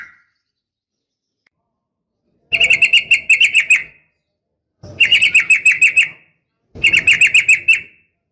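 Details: Female sooty-headed bulbul calling a male, fast fighting-style 'nggaruda' song: three matching bursts of rapid, evenly pitched bright chirps, each about a second long, separated by silence.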